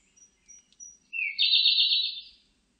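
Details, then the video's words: Siberian blue robin song: a few soft, high ticking notes, then a loud, fast, buzzy trill that starts slightly lower and jumps higher, lasting about a second and a quarter before fading. The background is otherwise quiet. "쇠유리새, 여러번 듣기, 곤충소리, 새소리"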